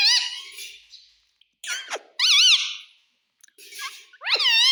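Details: Talking pet parrot said to say "mummy" and "papa", recorded indoors: bright harmonic syllables with wavy pitch, one sharp falling squeak near the middle, short pauses, and a last rising-falling wavering phrase.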